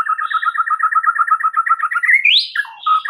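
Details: White-rumped shama song, used to prompt a silent shama to answer: a fast, even stuttering trill that sweeps up into a high whistle and then breaks into lower, varied notes.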